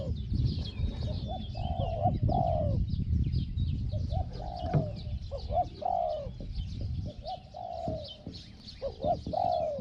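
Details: Spotted dove calling in a decoy session aimed at a wild target bird, small 'hong hong' voice. About a dozen coo phrases, short notes then longer falling coos, with steady chirping of other birds and rustling.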